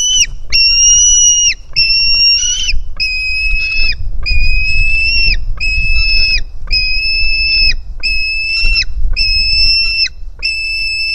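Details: Begging of a hungry white-tailed eagle nestling at the nest on 4 July 2018, live camera: a long chain of evenly pitched, piercing whistled notes, each about a second long, given one after another with short breaks.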